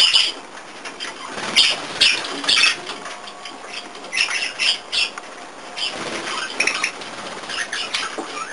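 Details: A female budgerigar gives harsh, scratchy bursts of chatter, angrily shouting after another budgie pushes her off the lettuce.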